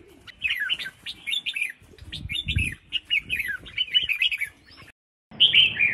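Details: Female red-whiskered bulbul calling to stimulate males to sing: quick, bright chirping notes sliding between high pitches in rapid bursts, with a brief gap near the end and a low rumble of background noise in the middle.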